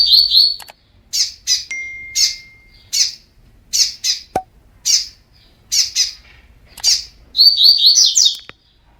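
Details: Double-collared seedeater training song from a spirited bird: crisp, high, buzzy notes in quick pairs and singles, with a sustained thin whistle early on and a fast warbled, rising flourish near the end.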